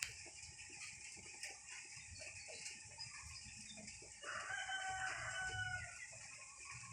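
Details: Birds heard against a steady high hiss with scattered soft clucks, then a loud, drawn-out, harmonic crow rising and holding for about a second and a half near the end.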